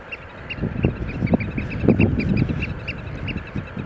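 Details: A Eurasian oystercatcher gives rapid, high, piping notes, several per second, during a display "dance", over a steady low rumble of wind or surf.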